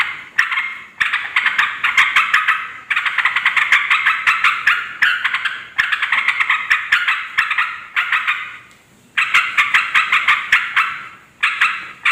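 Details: Busy, excited chattering of a yellow-vented bulbul, played to attract wild females and males; long runs of scratchy, rapidly pulsing notes in phrases of one to two seconds, broken by a few brief quieter gaps.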